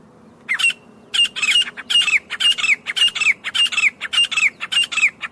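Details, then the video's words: A grey francolin calls in jungle. One opening burst and a brief pause lead into a long series of loud, grating, buzzy paired notes, each with a short whistled slur, repeated at a fast, steady pace. "Acha Teetar Ki Loud Awaz | Real Teetar Call in Jungle"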